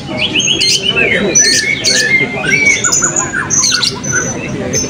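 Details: Blue-crowned hanging parrots in class B of a 2024 open songbird voice and style competition at Balingian, giving rapid high squeaky chirps and thin whistled notes in quick succession, several birds overlapping, with faint background chatter.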